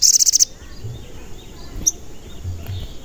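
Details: Crimson sunbird in full voice, used as a lure to make other sunbirds sing and become agitated; a short, loud burst of six quick, piercing high chirps, then quiet with a single faint high note.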